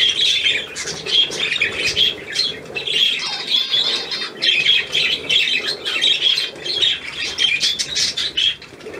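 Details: A group of budgerigars giving constant warbling chatter mixed with sharp squawks, the rapid notes rising and falling in loudness across the recording.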